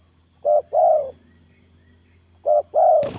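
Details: Spotted dove used as a trapping lure gives two soft, low coos, each a clipped note followed by a longer drawn-out one, separated by a two-second pause before a brief rustle at the end.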